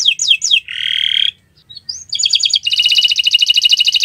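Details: Canary on a Friday morning in gacoran song: a few falling whistled slurs, a harsh buzzy note, a short gap with soft chips, then a quick rattling high trill.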